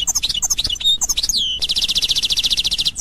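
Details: Authentic Constantine-style song of a European goldfinch: scattered sharp chirps and a sliding whistle, then a long, even, buzzing trill of fast repeated notes.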